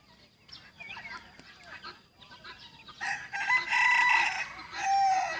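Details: Young white decoy rooster owned by a villager, recorded 1 June 2020, crowing: quiet clucks and faint rustling, then a loud, strained, drawn-out crow with strong harmonic bands holding steady for about two and a half seconds before fading.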